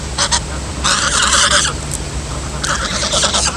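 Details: Gosling, a young female goose, giving strange harsh honking calls: short broadband bursts near the start, a longer rasping call around one second and another near the end, over steady low hum.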